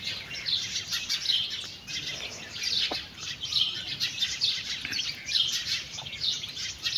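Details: Backyard chickens, a mother hen with her chicks, feeding; dense high-pitched peeping from many chicks, short rising chirps overlapping in bursts about every second, with a faint low knock near the middle.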